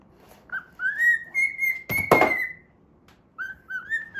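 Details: A playing pet cockatiel holds a long, steady whistle that swells and then fades, with loud clattering knocks from its play in the middle. Soft, slightly rising whistles follow after a quiet gap. The tune is the Pitagora Switch opening theme.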